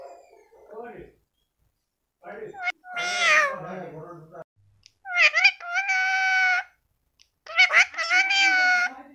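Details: Pet parrot talking indoors in Assam: speech-like phrases with harmonic, nasal tones, several drawn-out vowel-like utterances separated by short pauses.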